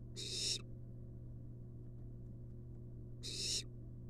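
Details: Inside a monitored nest box, a wild barn owl chick gets a long-tailed rat from its mother. Two harsh, airy hissing screeches about three seconds apart over a constant low hum.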